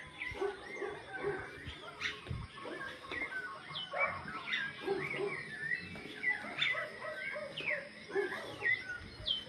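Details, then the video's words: Birds singing, heard from the Tlamamala lookout: a busy chorus of short chirps and quick whistled notes that rise and fall, overlapping continuously, with some faint lower sounds in the background. "se escucha el canto de los pájaros"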